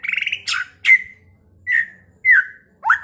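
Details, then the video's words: Pekalongan white-rumped shama sings to provoke rivals into fighting and singing: a short rattling trill, then a few separate slurred whistles and sharp squawky notes with pauses of about half a second between them. "Pancingan MURAI BATU agar cepat EMOSI dengan suara burung ini"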